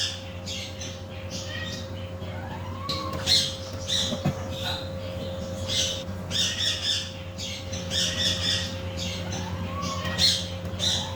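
A macaw gives harsh, broadband squawks in bursts through the clip, with a few rising whistled notes, over a steady indoor hum.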